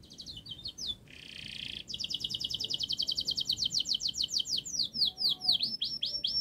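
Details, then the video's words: Long, rapid canary song used as a model to get juvenile canaries singing: brief chirps, a harsh buzzy burst, then a long accelerating series of sweeping high notes, about three per second, changing to V-shaped syllables near the end. "Kenari Gacor Panjang Speed Rapat Untuk Pancingan kenari Paud Agar Cepat Gacor"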